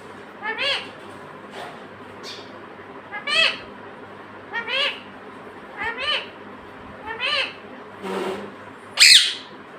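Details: Talking pet parrot, said to say "mummy" and "papa". Repeated short, nasal, word-like harmonic phrases roughly every second, building to a harsh, piercing squawk near the end.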